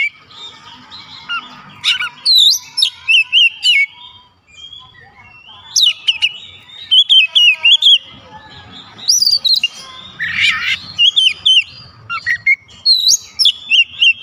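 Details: Oriental magpie-robins joining in with mimicked fill phrases: bursts of loud, high, slurred whistles and chirps in quick runs, with short pauses between bursts across the whole stretch.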